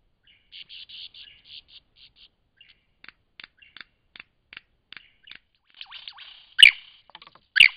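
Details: Lyrebird in Cape Liptrap Coastal Park: a run of soft buzzy chatter and scattered clicks, then two loud, sharp, ringing notes about a second apart near the end.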